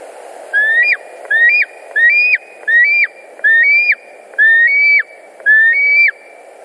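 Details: White-tailed eagle at a nest in Latvia, 10 August 2019, afternoon. A series of seven thin whistled calls, each rising then dropping sharply at the end, repeated about once per second over a steady low hum.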